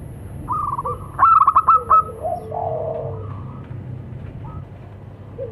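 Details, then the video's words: Local zebra doves calling and answering each other, male and female: a brief burst of quick, staccato cooing notes near the middle, bracketed by softer, drawn-out lower tones, over a steady low rural hum. "Suara perkutut lokal saling sahut."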